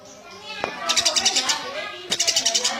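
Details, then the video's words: Eurasian tree sparrow singing in lively gacor style: two bursts of rapid, sharp, high chirps, about eight notes each, after a single dry click, with faint lower tonal sounds in the background. "Suara burung gereja gacor"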